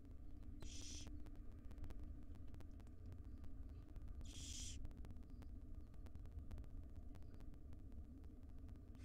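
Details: Five young wild barn owls in a nest box, mother delivering breakfast; two separate short hissing screeches about three and a half seconds apart, with a steady hum beneath.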